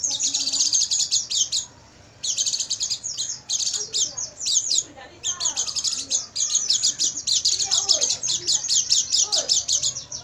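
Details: Oriental white-eye song recorded at night for training caged birds: rapid high chirping notes in fast runs of about eight per second, broken by short pauses, with faint lower warbling notes beneath.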